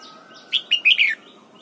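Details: A red-whiskered bulbul being trained to sing in the morning in a double-note wild style. It delivers a brisk run of four clear whistled notes, the last slurring downward, with quiet background hiss.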